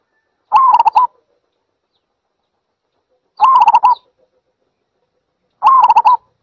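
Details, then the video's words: Zebra dove giving three short bursts of rapid, staccato cooing notes. The notes run together in a brief, wavering trill, and the bursts are spaced about two to three seconds apart against silence. "សំលេងលលកដី Zebra Dove"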